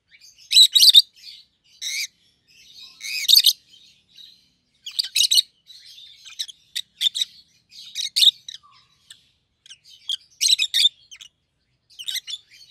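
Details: Caged pair of rosy-faced lovebirds, a yellow bird and a green bird with red heads, calling loudly: repeated piercing, raspy shrieks roughly every second or two, mixed with continuous softer twittering.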